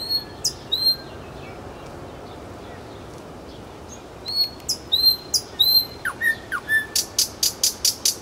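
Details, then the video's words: Kuzminki forest park nightingale: scattered high whistled notes, a pause, then a varied burst of sliding whistles and drops ending in a fast, even run of hard clicking notes. "Голос соловья"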